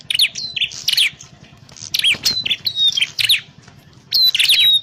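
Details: Prinia calls used as a trapping lure: clustered high, sharp chirps in three bursts, with thin whistled notes sliding downward between them and quiet gaps.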